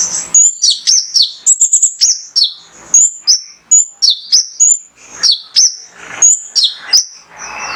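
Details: Lively male mangrove whistler (konin) singing, used to stimulate other birds to sing: clusters of bright, high, clipped whistles and downward slurs in quick irregular succession, some notes stacked in fast trills, with a short pause midway.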